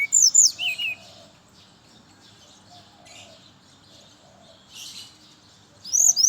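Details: Morning song of a brown-chested jungle flycatcher, used as a lure for birds of the same kind: a fast, high warbled phrase, several seconds of near silence with faint background sound, then the phrase begins again.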